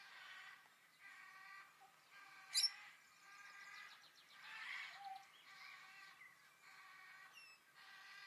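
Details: Two superb parrots feeding on grass seeds in a grassy area give harsh, rolling, harmonic calls in a steady run of short bursts, about one a second, with a sharp high chirp from another bird.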